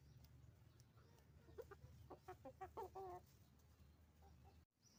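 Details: Roosters and hens on a chicken farm making noise: a burst of short, repeated clucks with clear harmonics in the middle of the clip, over a steady low rumble and faint small-bird chirps.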